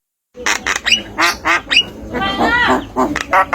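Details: Javan myna, a tame bird, voicing speech-like harsh syllables in a rapid run of short bursts, with a longer raspy, wavering phrase in the middle.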